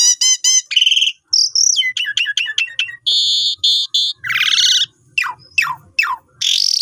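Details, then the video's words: Asian pied starling singing a long, varied song used as a model for newly bought birds: rapid harmonic chatter, clear whistles, quick clicking series and harsh grating squawks follow one another with brief gaps. "Pancingan Jalak Suren Nyapam Gacor Suara Panjang Cocok Untuk Masteran Burung Baru Beli"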